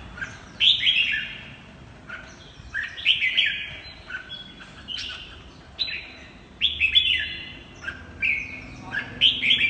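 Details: Red-whiskered bulbul singing in the chattering "ché" style: bright, slurred whistled phrases that drop in pitch, delivered in bursts every second or so with short gaps.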